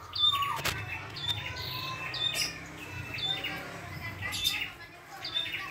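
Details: Wild red-headed prinia in full song. Sharp high whistled notes repeat roughly once a second, each trailing into a falling slur, with occasional sharp clicks and a low background rumble.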